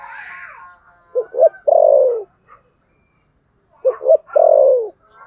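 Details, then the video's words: Spotted dove giving the fighting coo: two short low notes followed by a longer descending coo, the phrase repeated twice with a pause between, faint higher chatter at the start. "thổ sấm gù/ Cu gù đấu"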